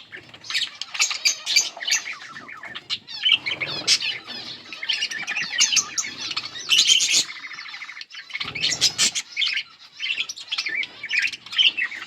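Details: A yellow pair of budgerigars chatter almost without pause in bright, scratchy warbles and quick chirps.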